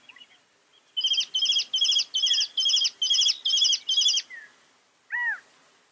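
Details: Northern mockingbird repeating one complex chattered phrase eight times at an even pace, then a single loud slurred downward whistle, over a faint background hiss.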